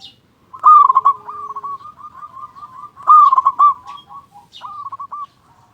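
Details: Local zebra dove song used to lure other doves to call: two loud stuttering coo phrases about two and a half seconds apart, each trailing into a soft rolling run, with a shorter coo after.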